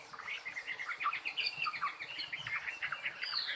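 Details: Faint, rapid bird twittering of short high chirps and slurred notes, heard through a steady hiss of background noise.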